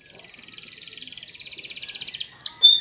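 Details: Spanish Timbrado canary song for training other canaries: a high, rapid rolling trill of evenly spaced notes swelling in loudness for over two seconds, ending in a few brighter whistled notes.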